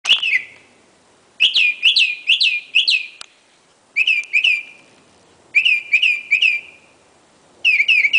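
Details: Northern mockingbird singing around midnight to 1 AM on a street in Medford, Massachusetts: bright whistled chirps repeated four or five times in quick bursts, pausing about a second between phrase series, in a quiet night setting.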